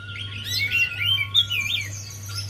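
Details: A Javan white-eye song used as a lure for a bird that will not sing. A continuous rapid jumble of high twittering, warbling notes sits over a faint steady tone and a low hum.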